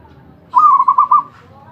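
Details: Zebra dove (perkutut), described as a champion bird singing without pause; a single burst of low, mellow, warbling cooing, about five quick rolled notes run together in under a second, with quiet background otherwise.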